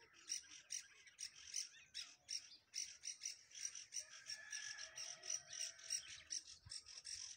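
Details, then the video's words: Bird alarm calls: harsh, high squawking notes repeated rapidly and steadily throughout, several per second, with little else heard. "Alarming sounds of birds"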